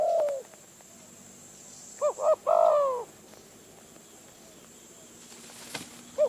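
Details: Wild spotted dove in Phrae, Thailand, lured by a decoy. A single phrase of two quick throaty notes runs into a longer falling coo, with a fragment at each end and a sharp click near the close.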